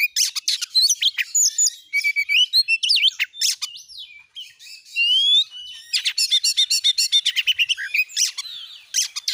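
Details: Oriental magpie-robin used as a lure for other magpie-robins, singing dense bursts of sharp chirps and whistles, a quieter middle stretch of thin slurred notes, then rapid repeated chattering trills.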